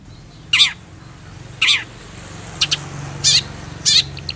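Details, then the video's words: Long-tailed shrike giving spaced, harsh, descending rasping notes about once a second, each short and scratchy, with a steady low hum beneath. "PENTET GACOR ANTI GALAU"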